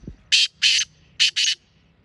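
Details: Black francolin call: four loud, harsh, grating bursts in two pairs within about one and a half seconds, strong and close, with a low thump at the start and little background noise.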